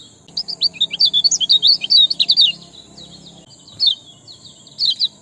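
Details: Sparrow lure recording meant to prompt reluctant birds to sing: a fast, excited run of high chirps for about two seconds, then a pause and a few scattered chirps.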